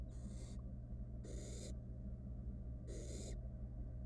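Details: Wild barn owl nestling recorded by nest box camera around a rat swallowed whole: three loud, airy hisses about 1.3 seconds apart, over a constant electrical hum.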